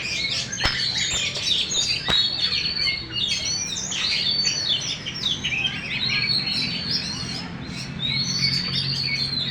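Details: Champion caged Oriental magpie-robin with tail fully open: energetic, high, varied song of chirps and sweeping whistles. Two sharp clicks come early, then steady, busy phrases.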